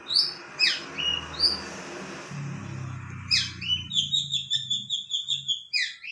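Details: Long-tailed shrike singing a medley of sharp whistled slurs and quick chirps over a low background hum, ending in a rapid series of short notes.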